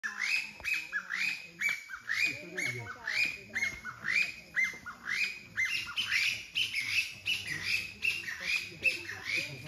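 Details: Taiwan bamboo partridge, endemic to Taiwan's hills and mountains below 1,200 m, giving loud, shrill, rising phrases about once a second, overlapping as if more than one bird were calling in an excited run.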